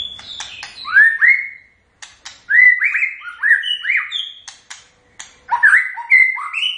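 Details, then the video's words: White-rumped shama giving its characteristic song: varied loud whistled phrases with rising and falling slurred notes, sharp upward sweeps and short chips. Phrases come in bursts separated by brief pauses, in a quiet setting. "Kicauan khas Murai Batu"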